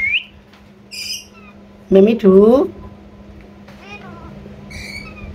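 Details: Blue Indian ringneck parakeet, a pet talking parrot, indoors: short rasping harmonic squawks in a pair, interspersed with brief high whistled chirps, over a steady low hum.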